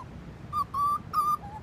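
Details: A bird singing at Burleigh Heads: three clear, sustained whistled notes at a steady, even pitch, followed by a softer, slightly lower closing whistle.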